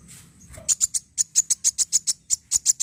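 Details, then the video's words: Sunbird song meant to stimulate other sunbirds into singing: a quick, evenly spaced series of piercing high chips, roughly five each second, after a brief soft start. "pancing bunyi burung kolibri wulung"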